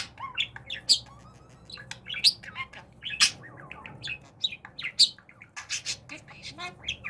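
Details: Budgerigar during talking practice, chattering loudly with bright high chirps, buzzy squawks and short warbled phrases tumbling out in quick, irregular succession.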